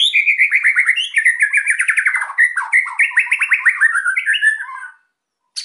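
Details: Energetic white-rumped shama song used to provoke quiet birds to sing, a fast continuous stream of warbling, rattling chirps with a thin high shimmer above, running nearly five seconds before stopping.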